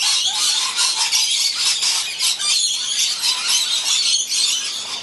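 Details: Many hungry lorikeets gathered to feed in cold winter, June to July 2016: a dense, continuous chorus of shrill, screeching chatter from many birds at once, high-pitched and unbroken throughout.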